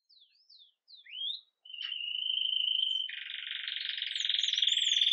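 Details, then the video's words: Live recording of a red mosaic agate Belgian canary in Campainha song at the start of the day: a few soft falling and rising whistles, then a long level trill widening into a rich, dense rolling tour. "Canário Belga Ágata Vermelho Mosaico Canto Campainha"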